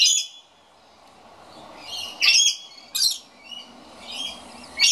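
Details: Scaly-breasted lorikeet complaining about the empty birdfeeder: a series of piercing, rasping screeches at irregular intervals, some doubled, with quieter scratchy notes between and a brief lull early on.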